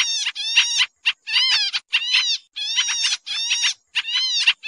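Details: Sooty-headed bulbul lure call (noisy "ribut" type, used for trapping): bursts of harsh, chattering notes with a bright, buzzy ring, about one burst a second, separated by short silent gaps.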